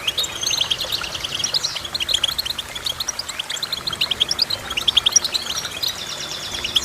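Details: Long stretch of goldfinch song: dense, high, tinkling twitters and sharp chirps running almost continuously, with short trilled phrases between.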